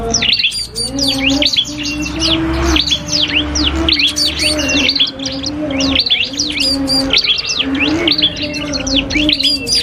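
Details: Cipoh kristal, or common iora, singing against a prinia in a training duel: energetic stream of sharp up-and-down chirps and occasional buzzy notes, with a faint steady hum below.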